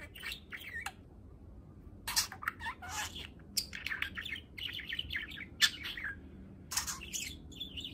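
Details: Male budgerigar, eight months old, kept as a pet, practising speech: bursts of bright, high chirps and twittering notes come in quick clusters separated by short pauses, against a quiet indoor background.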